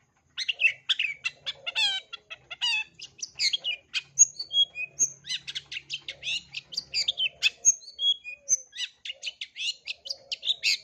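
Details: Full 'isian' repertoire of a long-tailed shrike (cendet) for young birds to learn. Rapid varied chattering with rising harmonic squeals early on, then a scatter of pure whistles among continuous scratchy notes.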